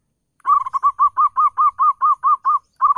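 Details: Zebra dove song used as a decoy to lure other zebra doves: a quick run of about a dozen short, arched, hollow cooing notes, evenly spaced, then a brief pause before the run starts again.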